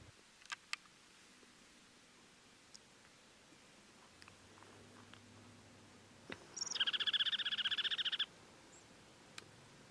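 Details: Juniper titmouse (Baeolophus ridgwayi) gives one harsh, buzzy chatter of rapid notes lasting under two seconds, a few faint clicks before it, against a quiet background.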